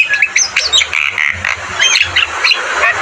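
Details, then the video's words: Energetic Javan myna song meant for tutoring caged birds: dense, scratchy chattering and harsh squawky notes, fast and jumbled, with brief whistled accents throughout. "Masteran burung jalak kebo gacor Terbaik"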